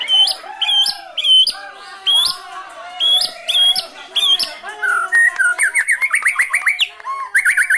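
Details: Captive white-rumped shama in Cilacap, Indonesia, singing brantakan fill: bright whistled phrases repeated in a steady pattern, followed by a fast run of rising and falling warbled notes.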